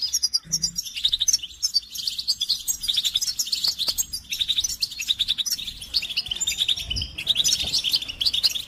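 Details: Several goldfinches chattering together in a recording used to rouse silent males to sing: dense, continuous high twittering and tinkling trills, many overlapping voices with hardly a break, steady throughout.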